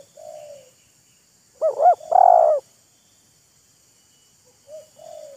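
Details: Wild spotted dove and decoy bird in a calling duel: a distant soft falling coo, a loud close wavering double coo with a drawn-out buzzy note, a pause, then another faint reply.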